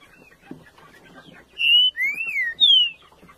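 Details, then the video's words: Color-mutation green-winged saltator, also called pixarro or estêvão, singing a short phrase of three loud clear whistled notes, the first level, the second rising then falling, the last sliding downward, after a quiet start with faint background noise. "TRINCA FERRO MUTAÇÃO MUITO LINDO"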